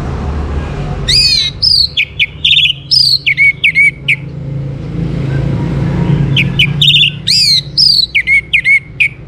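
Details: Orange-headed thrush in full song, played to encourage other birds to sing: two long bursts of rapid, varied phrases mixing sharp downslurred notes and clear whistles, separated by a stretch of low background rumble.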